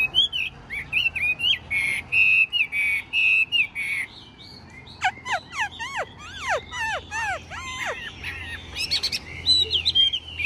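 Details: Caged Chinese hwamei with a very golden bill singing on; steady run of short bright whistled notes, then a series of steep down-slurred whistles and quick trills, ending in high chirping phrases.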